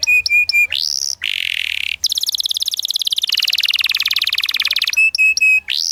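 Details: Canary master song, rolling 'ngerol' style, to teach young canaries the 'ngriwik' sound: ringing metallic notes and an upslurred whistle, a harsh buzz, then a long fast high trill before the ringing notes return.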